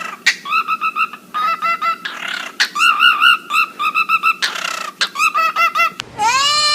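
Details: Pet parrots singing and mimicking, giving a rapid series of loud, squawky notes in quick bursts, some rising into a long harsh whistled sweep at the end, over a steady background hum.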